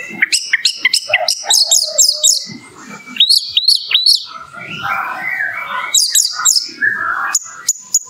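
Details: Orange-headed thrush in rich, varied morning song: rapid high chattering phrases, sharp rising and falling whistles, and lower warbled runs, with barely a pause between them.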